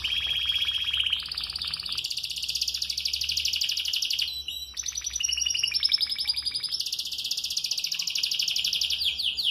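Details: Canary singing while moulting, said to sing all day despite it; continuous rapid rolling trills, high and bright, switching between pitch levels every couple of seconds with short buzzy and whistled phrases, a brief pause near the middle.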